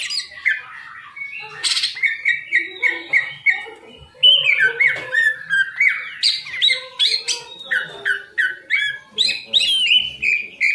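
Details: Green leafbird kept in a cage as a contest songbird, delivering a varied string of clear whistled notes, some steady, some sliding up or down, with quick chips and trills in irregular bursts about three per second.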